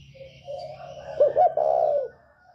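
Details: A single call from a northern spotted dove in the 'còi bổi ghét' style, meant to provoke other birds: a soft lead-in note, two short low notes, then a long steady coo over a low background hum.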